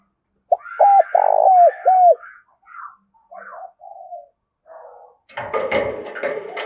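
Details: Decoy spotted dove calling its rapid urging coo in the Đồng Nai countryside, Vietnam: a loud series of short hooked notes and a longer coo, then quieter scattered coos, ending in a stretch of broadband clattering noise.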